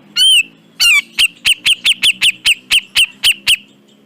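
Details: Cucak jenggot, the grey-cheeked bulbul, in a tutor recording: a loud, wavering whistled note and a second, falling one. Then a rapid run of about twelve short, strident notes, evenly spaced, over a soft low murmur.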